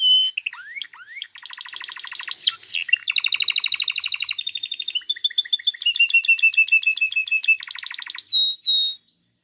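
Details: Canary song made of descending slurred whistles, then successive rapid trills at differing speeds, rolling tours of repeated pulses changing every second or two, ending with two short clear whistled notes.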